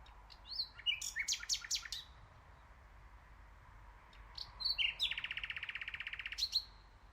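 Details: Common nightingale bird song: a phrase of sharp sweeping notes, a pause, then whistled notes leading into a rapid, steady rattling trill of repeated clicks lasting about a second and a half.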